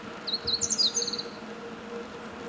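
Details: Meadow bunting delivering a short song: high, sweet chirps run into a fast, tumbling trill for about a second, then quiet with a low steady drone.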